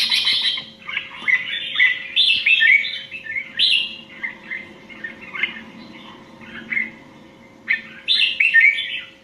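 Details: Red-whiskered bulbul of the Indian type, singing competitively: a near-continuous run of quick, rich whistled and chirping notes in short rising and falling phrases, briefly pausing before a final loud burst, with a faint constant hum beneath.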